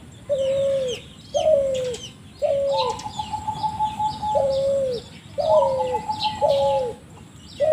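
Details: Spotted dove with a strange call: repeated falling coos about a second apart, overlapped twice by a long, flat, higher whistled tone, while small birds chirp above.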